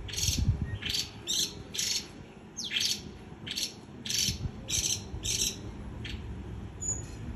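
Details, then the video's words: White-eye chattering in líu choè style, harsh buzzy bursts repeated roughly every half second, with a lone thin whistle near the end and a steady low hum. "Khuyên líu choè"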